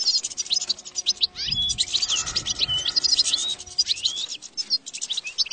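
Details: Goldfinch song offered as a tested lure for catching goldfinches: a busy, high stream of sweet twitters, slurred notes and chirps that run almost without a break.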